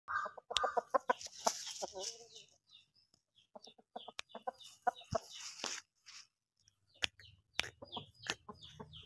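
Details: A Bangkok game chicken, called very fierce, gives short, throaty clucks in uneven bursts, with sharp knocks and rustling.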